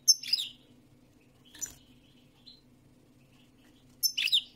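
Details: Song of a European goldfinch: sharp, high twittering phrases at the start and end, with a single quieter chirp between them and a low steady hum underneath.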